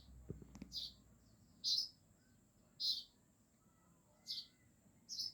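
A small bird gives short, high, bright chirps, one every second or so, over a faint steady high whine; a couple of soft knocks sound at the start.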